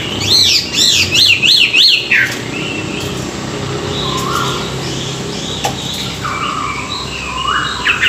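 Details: Singing hwamei in the morning, played to stimulate birds: four or five loud, bouncing, repeated whistle notes in quick succession, then softer, spaced whistles rising in pitch.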